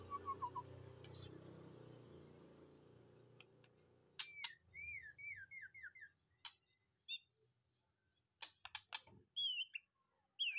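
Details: White-rumped shama kept in a cage, just out of the breeding cage and singing: a noisy stretch first, then a short run of quick looping whistles mixed with sharp clicks and high sweeps.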